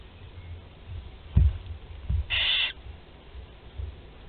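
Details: Barn owl chicks, four young, being fed at Théding on 16 July 2020; a single harsh half-second hiss follows low thumps and knocks from the nest.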